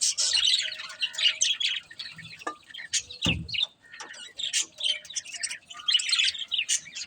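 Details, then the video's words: Budgerigar chatter of high rasping chirps and squeaky warbles, interrupted by a short loud thump-like noise in the middle, then more scratchy tweeting. "Cute Budgies Chirping Sounds"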